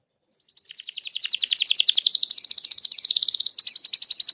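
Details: Song of a painted Belgian canary, a long high rolling trill that swells in volume, rapid notes repeated nearly four times a second and shifting slightly in pitch, on a silent background.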